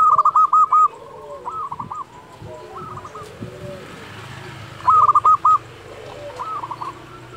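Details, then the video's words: Singing local zebra dove, its song used to provoke and train quiet doves: loud bursts of quick, evenly stuttered coo notes at the start and near five seconds, with fainter phrases between and a light hiss. "Perkutut lokal gacor Suara ini sangat di sukai semua jenis perkutut"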